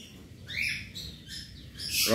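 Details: About 100 cockatiels are kept together in a colony aviary while the floor is mopped. Several short, upward-sweeping chirps are heard, followed by a burst of human speech at the end.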